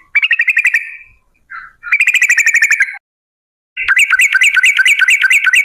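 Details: Sooty-headed bulbul lure song in long 'ropel' style: loud fast chattering trills in three bursts, the last a bouncing run of repeated rising-falling notes.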